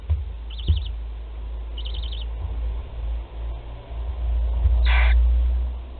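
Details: Barn owl nest, Théding, 20 July 2020, a 13-day-old chick swallowing prey whole; two short, high quavering chitters, then a brief raspy hiss, over steady low rumbling noise.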